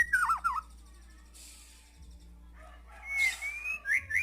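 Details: White-rumped shama singing energetically: a looping whistled phrase near the start, a quiet gap, then higher rising whistles and a burst of bright notes at the end, over a low steady hum.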